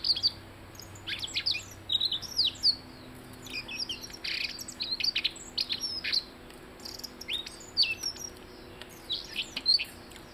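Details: Blue-headed rock thrush singing a fast, dense run of sharp, high chirps and downward-sweeping whistled notes, packed closely together with few pauses; a low steady hum and faint hiss run underneath.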